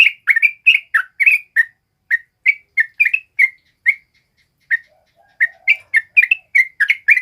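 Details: Sooty-headed bulbul in lively full song, used as a lure and tutor recording for training other birds: clear, bubbling whistled notes in quick irregular phrases, with a brief pause midway before resuming.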